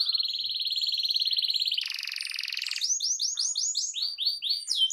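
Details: A canary sings loudly to make other canaries answer. A long steady rolling trill gives way to a denser buzzing roll, then a series of arched, sweeping notes.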